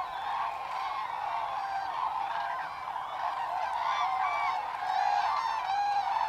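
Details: Common Crane flock on autumn migration, 25 October 2021: overlapping rolling trumpet calls, roughly one per second, forming a continuous chorus that grows louder toward the end.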